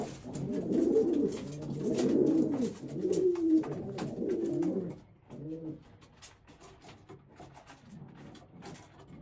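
Old German Owl pigeons give soft, low, rolling coos in quick overlapping bursts, about four a second, fading after five seconds; faint clicks and room noise behind.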